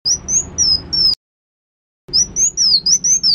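Black Sunbird song: thin, high, sharply slurred whistles, about three per second, with a brief silent break midway. No other sounds.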